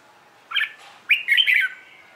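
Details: Red-whiskered bulbul morning song used to coax newly caught birds into singing: a short chirped note, then a loud, bubbling, rising and falling whistled phrase that trails off.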